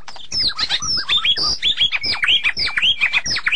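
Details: White-rumped shama singing a rich, fast, varied stream of whistled slurs, rising and falling notes and sharp chips, delivered almost without pause across the whole stretch.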